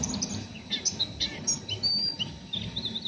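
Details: Rough ngeriwik chatter from an oriental white-eye still in raw, untrained condition: scattered high chips, a few sharp upslurred and downslurred notes and one brief thin whistle, with steady low rumbling noise underneath.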